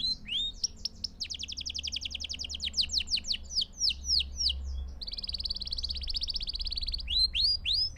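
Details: Singing canary for tutoring young birds: short rising whistles, a long rapid rolling trill, a series of swooping notes, then a sustained buzzy trill and more whistles, with low background hum.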